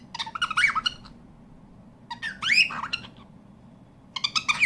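A cockatiel gives harsh, chattering squawks in three bursts separated by short pauses.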